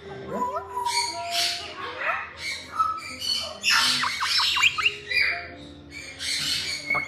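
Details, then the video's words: Captive young female red-fronted parrot, a talker said to say "good morning" as well as call, giving harsh broadband squawks mixed with clear whistled tonal notes and short clicking bursts, several outbursts over seven seconds. "ズアカハネナガインコ 可愛い鳴き声の仔"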